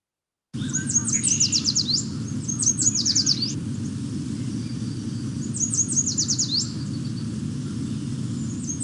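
Yellow Warbler song: bright, high phrases of quick sweet notes ending in a rapid slurred flourish, given three times over a low room hum.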